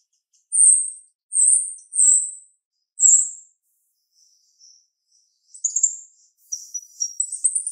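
A female Asian glossy starling gives four sharp, very high slurred whistles, then a jumbled run of squeaky, chattering notes.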